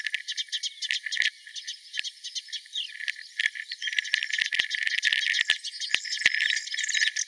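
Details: Melodious warbler at Mila on 4 May 2021, giving a dense, rattling babble of quick high twittering notes that runs throughout, joined in the second half by sharp, irregular clicking knocks.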